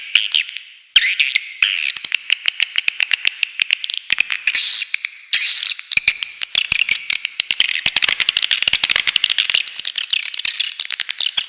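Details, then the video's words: Swiftlet lure call built from continuous high rasping twitters laced with rapid sharp clicks, forming a steady rattling chatter throughout. "SUARA PANGGIL WALET ULTIMATUM"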